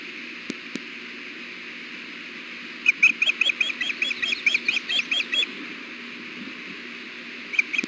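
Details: Female osprey at the Hellgate nest, 6 June 2016 around 4 pm on a 93-degree day, fussing to be fed while her mate is on the nest with eggs: a burst of about a dozen sharp, high, rapid chirps, then one more, over steady hiss.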